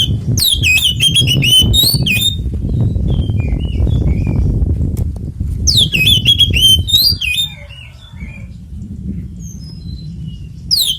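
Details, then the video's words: Fighting song of an Oriental magpie-robin, ngeplong tarung konslet style, played to make other magpie-robins sing: rapid strings of sharp, downslurred whistles in two main bursts over constant low rumbling noise. "SUARA BURUNG kacer gacor NGEPLONG TARUNG konslet"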